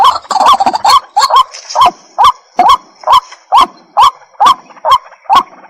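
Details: White-breasted waterhen giving loud, regular croaking calls, each a short harsh note with a rising inflection, repeated about twice a second; a faint high hiss runs in the background.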